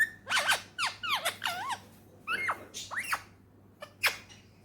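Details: Pet talking parrot, a male Indian ringneck from Pakistan, chatters a string of curving, wavering voiced syllables resembling words, then two short squeaks, with a soft background hum.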